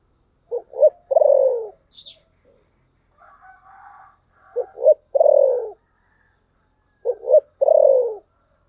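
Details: Spotted dove in thổ sấm voice, three full phrases of two short hoots and a drawn-out descending coo, repeated about every three seconds, with a faint higher chatter between the first and second phrases.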